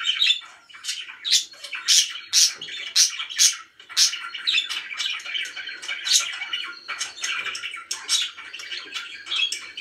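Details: Several happy pet budgies keep up an excited flow of clicking chirps and harsh little squawks, roughly one accented note a second over constant twittering chatter.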